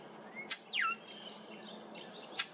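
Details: Brown thrasher at Maple Groves Cemetery on July 8, 2023, making an unfamiliar sound: a sharp click, a buzzy down-slurred note falling steeply, then faint high trills and another sharp click.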